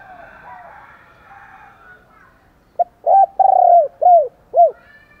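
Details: Fight-provoking coo of a spotted dove calling in the morning; faint soft coos open, then one loud phrase of five rounded, falling coo notes, the third note longest.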